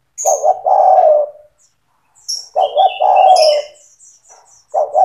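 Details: Spotted dove singing keenly, played to stimulate young doves to sing: low cooing phrases of two short notes and a long croon, with thin high chirps and twitters of small birds behind.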